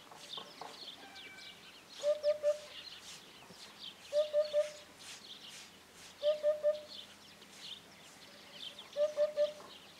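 A Eurasian hoopoe gives soft, low, hollow triple hoots, oop-oop-oop, repeated about every two seconds, while other small birds chirp and twitter in the background.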